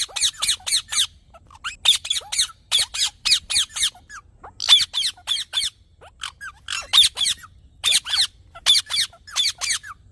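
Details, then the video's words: Green parrot chattering with fast strings of scratchy, high squeaks, about four per second in bursts, broken by brief silences and a few soft descending whistles. "Green Parrot Natural Sounds"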